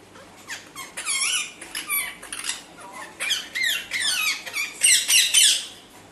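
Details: Parrot giving a run of high squeaky, chattering calls with bending, whistled sweeps that rise and fall, in bursts about every half second, growing busier and louder toward the end.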